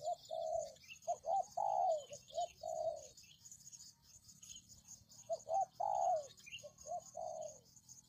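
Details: Spotted dove coo used as a lure to attract wild doves: mellow, hollow cooing notes in two phrases of about five notes each, some short and some drawn out and slightly falling, separated by a pause, over a faint high hiss.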